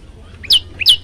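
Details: Olive-backed tailorbird tutor song, two quick phrases: each a short low chip leading into a loud, high, sharply dropping whistle, a fraction of a second apart.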